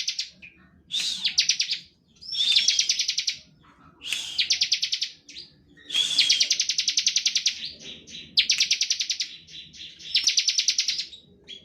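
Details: Bar-winged prinia in continuous 'ngebren' song, played to entice other prinias to sing; a steady sequence of rapid high chirp bursts, some introduced by a short whistle, with brief lulls between them.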